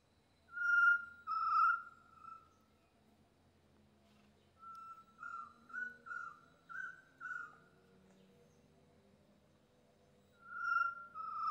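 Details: Chestnut-necklaced partridge (Arborophila charltonii) calling, recorded 1 January 2022: clear, mellow whistled notes, two long ones, then a quicker run of five or six, and another long whistle, over a faint low hum.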